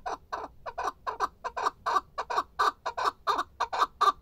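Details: Male chukar partridge cackling with coarse, uneven chuck notes in loose pairs, steady in loudness.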